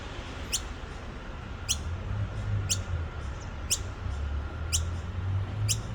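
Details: Baby noisy miner at Petrie Creek, Nambour: sharp, high, downward-sweeping squeaks repeated about once a second, six in a row, over a steady low rumble.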